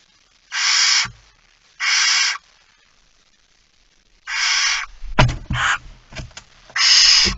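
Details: Feeding time at a barn owl nest, early morning, 19 September 2019: five snoring hisses, two early and three later, with sharp clattering knocks and scuffling in between.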